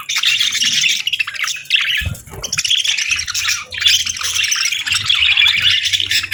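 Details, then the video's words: Several parakeets chattering on a calm morning, a busy stream of high, buzzy warbling and rapid chirps that pauses briefly twice, once broken by a soft low thump. "Soothing Budgie Chirping Sounds"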